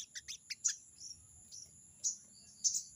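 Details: Rapid scratchy clicks and rasping notes from a crested jay in its rival-challenging 'crecet' chatter, several harsher bursts standing out, over a low steady hum and a high continuous tone.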